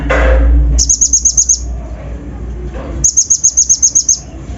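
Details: Kolibri ninja (Van Hasselt's sunbird) lure song packed with coarse fill-ins to rouse untrained birds. A loud low thump opens, then two rapid series of sharp high ticks, about eight notes each.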